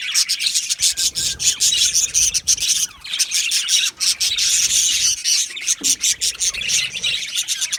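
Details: Australian budgie parakeets in an aviary colony: dense, continuous chirping and scratchy warbling from many birds at once, with quick high tweets and brief squawks overlapping throughout.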